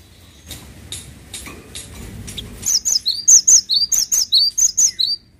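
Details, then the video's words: Cinereous tit singing loudly: a long, steady string of bright whistled couplets, each a high note followed by a lower one, repeated quickly for nearly three seconds after faint ticks. "GELATIK WATU GACOR"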